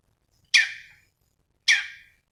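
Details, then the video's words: Cucak cungkok uttering two harsh, rasping downslurred notes about a second apart, in a recording used to tutor other songbirds. "SUARA BURUNG CUNGKOK GACOR"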